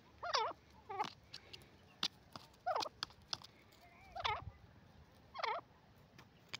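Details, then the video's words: Francolin (teetar) giving harsh, wavering nasal notes in short bursts, about once a second, with scattered sharp clicks in the background. "teetar ki awaaz the voices of the teetar bird"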